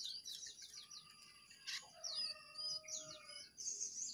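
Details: Wild and caged pied trillers countering each other in song; high chattering trills, then clear drawn-out whistles and rising slurred notes in short phrases, over faint background hiss.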